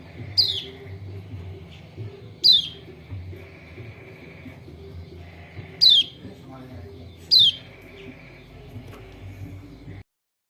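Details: Lombok white-eye call used as a prompt for a silent bird: four crisp high downward-sweeping chirps at irregular intervals, with faint softer chirping and low hum in between, ending in silence.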